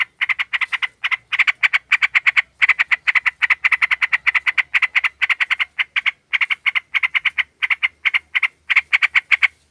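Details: Sooty-headed bulbul lure call, a female summoning a male: a long, fast stream of scratchy, buzzy chattering notes, broken by a few brief pauses, loud and steady throughout.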